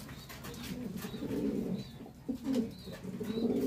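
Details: Low, burbling coos from Archangel pigeons, a fancy breed kept in Bangladesh, come in two swelling phrases separated by a short lull, with faint high chirps and room hum behind.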